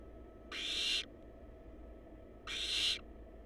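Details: A pair of hoarse, hissing screeches from barn owl babies in a wild, monitored nest box, spaced about two seconds apart, each half a second long over a faint background hum.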